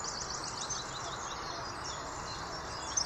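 Eurasian wren song: a fast, high, tinkling run of rapid trilled notes, thin and somewhat distant over a steady outdoor hiss.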